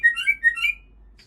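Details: Female white-rumped shama of the Aceh type, a breeding bird, giving a short burst of four loud, clear whistled notes in quick succession before falling quiet.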